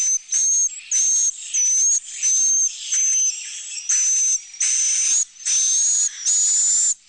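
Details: Swiftlets' roosting-room call, played to comfort birds that sleep and breed there by imitating many flock mates, young to adult. Steady run of hissing, buzzy chirps, each topped by a thin whistle, about two every second.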